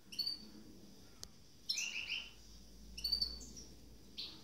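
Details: Two captive goldfinch hybrids (mules), freshly through their moult: short bright twittering notes with buzzy trilled elements, in three bursts about 1.5 seconds apart, quiet between.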